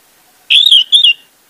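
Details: Orange-headed thrush singing, meant to coax a silent bird into song: one loud clear whistled phrase, rising then level and slightly wavering, broken into two parts, about seven tenths of a second long.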